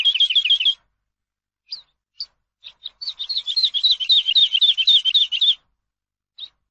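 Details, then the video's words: Recording of Eurasian skylark song, intended for teaching captive birds. A short, fast rolling trill, a few separate sharp chirps, then a sustained dense stretch of rapid, warbled high notes lasting over two seconds. "ALONDRA COMÚN AVE; CANTO PARA ENSEÑAR"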